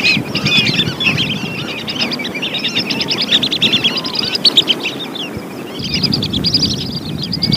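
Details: Lesser whistling duck calls used to lure birds: a running stream of high twittering whistles, thinning briefly near the end before resuming, over a low rumbling background.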